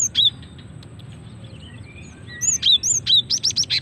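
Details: Female cinereous tit, a recording used for luring and prompting males to sing; high, thin whistled chips open the clip, then after a pause a fast run of bright, slurred notes, increasingly rapid and repeated toward the end.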